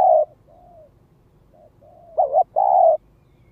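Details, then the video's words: Lure-calling spotted dove cooing: a short doubled note followed by a longer, steady mellow coo, with faint soft coos before it. "Tiếng chim cu gáy mồi đất Gáy Gọi Thúc Kích Bổi"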